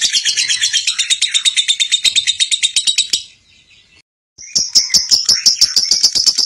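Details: Lovebird juara singing, a champion-style lovebird: rapid shrill chirping for about three seconds, a short silent break, then renewed piercing high chirps in quick regular succession.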